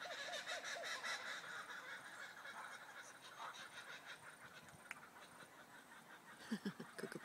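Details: Kookaburras at Buxton in the morning cackle in a rapid, rhythmic chorus of rising and falling hoots, opening strongly and returning loud near the end, over a busy background of other birdsong.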